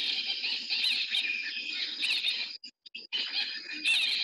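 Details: Hartlaub's Babbler in Namibia, a resident of the lodge garden that is often heard before it is seen, making a very loud noise: a dense, harsh, continuous chattering chorus with one brief break partway through.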